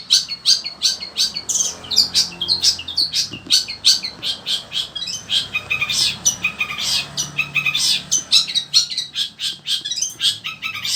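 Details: Long-tailed shrike of the sembur type, kept as a songbird, singing on and on in scorching heat: a dense, varied stream of harsh chatter and squeaky high notes, with a faint low hum.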